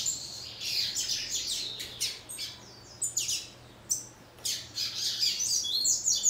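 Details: Female papa-capim, a seedeater singing in the manner of a male: high, scratchy chirps and short twittering phrases in quick bursts, some notes squeaky and rising, over a low steady background hum.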